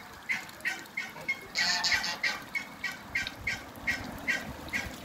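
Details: A pair of Mallards at a waterbird farm gives a rapid series of about twelve short, nasal, harsh quacks in five seconds, evenly spaced with one louder, broader burst near the middle, over quiet background noise.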